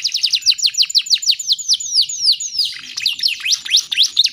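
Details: Lure recording of a young female canary in breeding mood calling males, mixed with Bar-winged Prinia material: clear high downslurred chirps repeated rapidly, lengthening midway, then a jumbled passage of rising notes.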